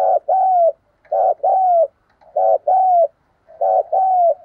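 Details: Caged decoy spotted dove giving four two-part phrases: a brief rough note, then a drawn-out mellow coo that bends down at the end. Phrases come about once a second in quiet surroundings.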